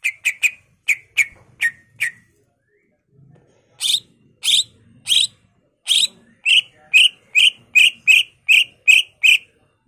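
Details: Greater green leafbird (cucak ijo) in lively full song, played to lure and tutor other birds: quick clipped chirps, a brief pause, then loud buzzy bursts followed by a steady run of sharp notes several per second.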